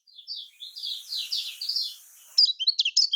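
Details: Lemon-bellied white-eye (kecial kuning) singing in the typical Lombok style, played as a lure to get other birds singing: rapid high twittering of short slurred chirps, then after a brief pause a louder, sharper burst of clipped notes and trills.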